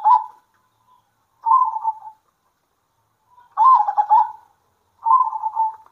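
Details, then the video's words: Zebra doves trading calls at midday: four separate purring, trilled coo phrases spaced by gaps of one to two seconds, one phrase rougher and louder than the rest. "BEGINI JADINYA KALAU PERKUTUT LOKAL GACOR ADU NYALI"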